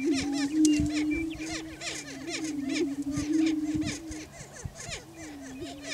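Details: Several greater prairie chickens on a Kansas lek in Washington County, displaying for breeding territory. A continuous low droning hoot carries under a dense series of quick, bouncing cackles that repeat several times a second.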